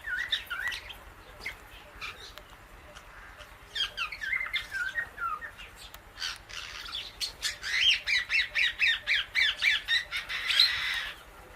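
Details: Pet Indian ringneck parakeet eating guava seeds beside an Alexandrine parrot; short bursts of chirpy squawks, then a fast, regular run of about a dozen clipped notes and clicks near the end.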